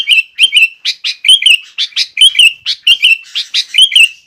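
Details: Master song of a vigorous sooty-headed bulbul, used to tutor young bulbuls: bright chirps at about one per second, interleaved with short, liquid, rolling phrases in a busy, cheerful stream.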